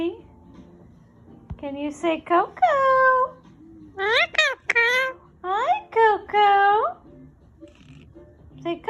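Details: Indian ringneck parrot talking indoors, mimicking speech in a high, nasal voice: a string of word-like syllables with wavering, sliding tones over several seconds, then a pause.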